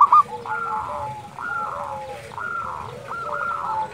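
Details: Zebra dove dusk call from a local bird, played to rouse quiet doves: soft, stretched, wavering coos repeated about once a second over a low background hum, opening with one short bright stutter.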